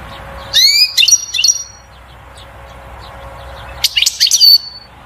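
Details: Goldfinch batbata song for stimulating the female to breed and nest: two separate bursts of high twittering with a rising whistle and sustained tinkling notes, split by several seconds of quiet hum.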